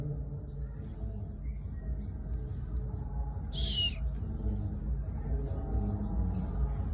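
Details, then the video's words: Japanese white-eye singing on a cold rainy day in Hai Phong, Vietnam; thin, high, downslurred notes repeated about twice a second over a steady low rumbling background, with one louder buzzy note midway. "Khuyên líu ngày mưa lạnh!"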